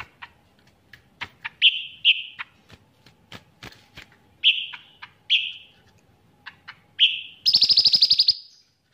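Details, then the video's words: Caged cucak ranting bulbul singing vigorously, with its song trained to include cicilin song: a series of short, slurred whistles and snapping clicks, then ends in a loud, fast, buzzy rattling trill lasting about a second. "Cucak Ranting Gacor Isian Cicilin"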